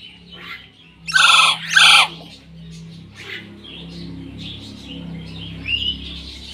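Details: Common hill myna letting out two loud, harsh, broadband squawks about a second apart, followed by softer scattered chatter over a steady low hum.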